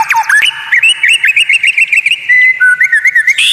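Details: White-rumped shama delivering unusual tutor song said to make rival birds furious: a rapid, even series of bright upslurred whistles, followed by a steady held whistle and more quick wavering notes.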